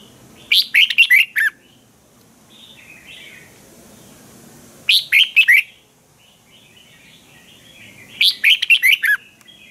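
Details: Energetic red-whiskered bulbul kept in a cage in Thailand, sharp training song: three loud phrases of fast, rich, slurred whistles about four seconds apart, with quieter twittering of other birds in the background.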